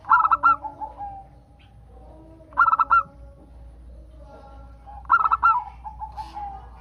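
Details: A local zebra dove sings to set other doves singing: three phrases of quick, bright notes roughly two and a half seconds apart, each trailing into a lower drawn note.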